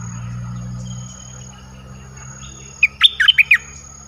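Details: A caged red-whiskered bulbul, singing as a lure for wild birds, delivers one quick phrase of four or five bright whistled notes after a stretch of low hum and background noise.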